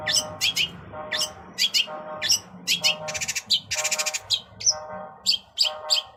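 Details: Varied long-tailed shrike filler song, or cendet isian: quick chirps and short whistles with buzzy rattles, over a steady lower tonal hum of another voice or sound.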